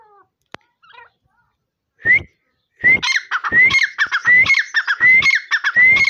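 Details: After a few faint chirps and a click, a partridge launches into loud repeated phrases. Each one is a rising whistle followed by harsh, grating notes, and the phrases come roughly every 0.7 seconds.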